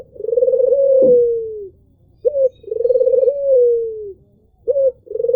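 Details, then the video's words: Albino Barbary dove, white with red eyes, giving a soft low coo: a short clipped note followed by a long purring, slightly falling coo, repeated about every two and a half seconds, with a brief click. "MBEKUR SYAHDU !!! PUTER ALBINO ll SUARA MERDU BURUNG PUTER"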